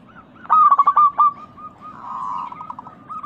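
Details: Crystal-voiced local zebra dove, recorded as a lure to stimulate caged doves to sing. One loud, fluttering coo burst is followed by a softer drawn-out note and a few trailing coos.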